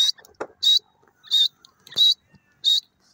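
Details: Grey francolin calling in the jungle, a harsh, high, clipped note repeated at a steady pace about every two-thirds of a second, with a few faint lower clicks between calls.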